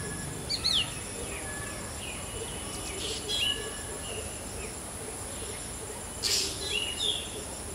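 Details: Black drongo imitating a shikra's call, giving scattered brief, high slurred notes separated by quiet gaps of several seconds, with a pair of louder calls near the end, against constant background hiss.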